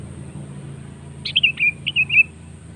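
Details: Sooty-headed bulbul lure song: two short, sweet whistled phrases with downward-sliding notes, over a steady low hum and a faint high constant tone.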